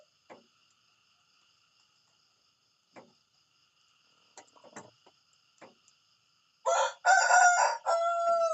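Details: A rooster in the morning: a few faint clicks and taps over a quiet background with a thin steady high tone, then a loud, harsh, drawn-out crow bursts in near the end and is cut short.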